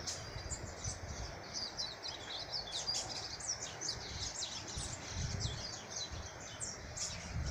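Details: Chestnut-capped blackbird singing in nature: a dense run of short, high, chirping and twittering notes that overlap with no pause, over a steady outdoor hiss and a low rumble.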